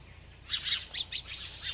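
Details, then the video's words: A feeding bird gives a quick series of about six bright, high chirps after half a second of quiet, each note short and slightly downslurred. "This Happy Bird Won’t Stop Eating and Chirping"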